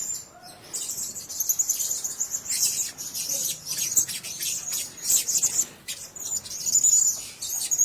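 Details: Blue-crowned hanging parrots (Loriculus galgulus) giving very high, thin, shrill twittering calls in rapid overlapping bursts, almost continuous across several seconds.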